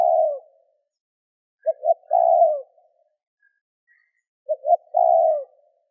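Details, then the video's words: Calling spotted dove, recorded to stir wild doves into responding: quick double note followed by a drawn-out, buzzy coo that falls at its end, repeated about every three seconds with nothing else audible. "Cu gáy gù - thúc - gáy gọi kích bổi nhanh nổi"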